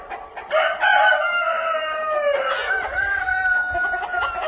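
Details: Cream Legbar chickens in a hatchery pen: a long, drawn-out crow that rises, then holds a strained, harmonic-rich tone for about four seconds, with faint background clucking.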